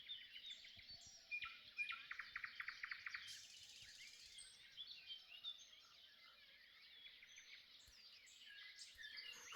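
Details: Common nightingale singing around 5 a.m. at first light after singing all night: rich, varied phrases with rapid repeated chirring notes and high whistles, other birds calling softly.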